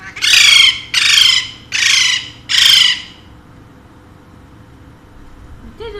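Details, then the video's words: Four raucous, grating screeches from a pet Alexandrine parakeet come at roughly one-second intervals, then a quiet stretch of room noise. The bird is one of two household parrots. "My Two Sweet Alexandrine Parrots Talking in Urdu/Hindi"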